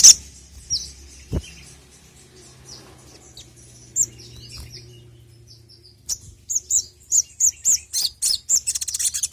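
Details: Crimson sunbird (sogok ontong) used as a lure call. Faint scattered high chips are followed by a lively run of sharp, high, rapidly repeated notes, over a low background murmur.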